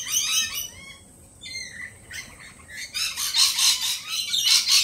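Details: Jittery lorikeets following a peregrine falcon attack earlier that week: a run of short, rapid squeaky notes, a pause, then loud, dense, grating screeching from several birds.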